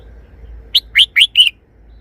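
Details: A caged red-whiskered bulbul delivers its easy three-syllable song style, here as four quick whistled notes in under a second, rising and bright, the final note held a little longer, with near silence around it.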